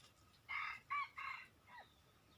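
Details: Red junglefowl crow heard at moderate distance, three harsh bursts followed by a fainter trailing note, over quiet background noise.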